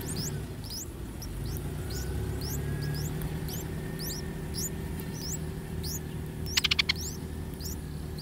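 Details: Streak-eared bulbul chicks aged three days, fed by both parents at a nest in a water jasmine tree in front of a house: steady stream of thin rising squeaks, with a brief rattling burst of clicks near the end.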